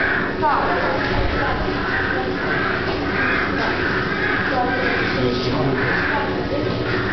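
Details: Hyacinth macaws playing at the Warsaw Zoo in January 2007 trade harsh, raspy squawks and guttural croaks in quick succession over a steady low background rumble.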